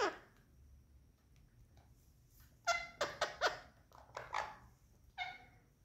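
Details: Indian parrots during playtime give a burst of short, nasal, harmonic chattering notes, four in fast series, then a couple more after a gap, with a quiet indoor background.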